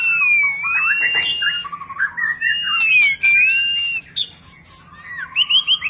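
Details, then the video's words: White-rumped shama in display song with many varied notes: long clear whistles sliding up and down, interspersed with lower warbles and short sharp clicks, continuous and rich. "ลีลา นกบินหลาดง MURAI BATU GACOR White-rumped shama Display kích chòe lửa hót nhiều giọng บินหลาดง"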